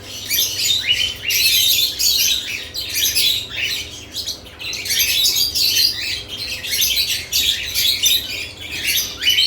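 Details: Lovebirds busy with newly added nest boxes, calling in a constant loud twitter of overlapping shrill chirps and squeaks, pulsing in waves without real pauses.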